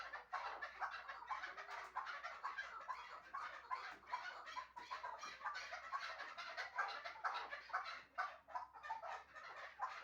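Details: Hunting chukar partridge from Shahritus producing continuous dense clucking, notes crowding closely together over ten seconds with steady background noise.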